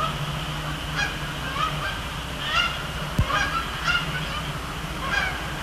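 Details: Canada geese on Sapsucker Woods Pond at the Cornell Lab of Ornithology on a Thursday night in October, flying over and splashing down; several honks about a second apart over a steady low hum, with one sharp click.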